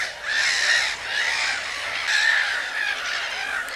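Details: Loud, close common crane calls: drawn-out, harsh trumpeted notes in two main bursts, each rising then falling, with a strong harmonic buzz and little other sound.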